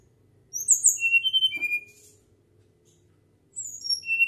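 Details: Flycatcher singing actively in a natural, flute-like whistled style: a burst of high, clear whistled notes slurring downward, then a pause with a soft click, and the start of another whistled phrase.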